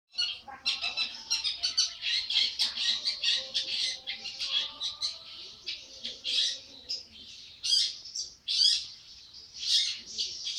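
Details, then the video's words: Young long-tailed shrike, 80 days old, singing briskly: a string of harsh, scratchy bursts, short squawks and chattering notes in rapid succession, with a faint steady tone in the background. "burung cendet baru umur 80hari gacor banget"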